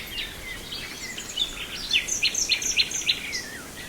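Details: In Brijeste a nightingale delivers a phrase of sharp, evenly spaced repeated notes, about six in a row, after softer varied twitters and a short downslurred whistle, with distant birdsong behind.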